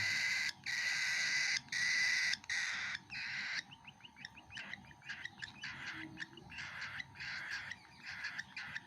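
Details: Young cockatiel feeding, with long grating rasps separated by brief pauses, giving way to a stuttering run of short scratchy pulses.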